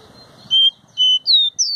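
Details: Caboclinho seedeater giving three short, clear, high whistled notes, the last two sliding downward, over faint low background noise.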